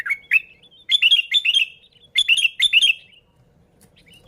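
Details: Sooty-headed bulbul song meant to attract bulbuls: sharp rising chirps followed by paired bursts of quick, bright, bubbly notes, then quiet.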